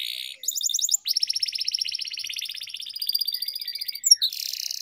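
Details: Canary song used for singing training, a long rolling style: continuous high rapid trills and buzzy rolls, with pitch shifting between phrases, barely pausing.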